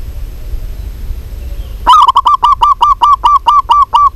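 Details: Local zebra dove, described as a vigorous caller: after quiet background, a fast series of about eleven short, mellow cooing notes repeated several times per second, each with a slight downward bend, on a steady mid pitch.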